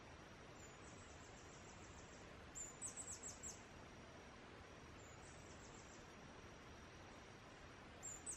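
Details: Singing male Blue-throated Goldentail in the foothills of Guatemala: two short bursts of very high, thin, squeaky notes given in quick runs several seconds apart, over a steady background hiss.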